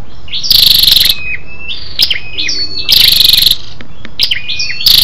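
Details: Female scarlet-backed flowerpecker lure call for exciting males: two loud buzzy rasping bursts about two seconds apart, with sharp ticks and thin high whistles between them.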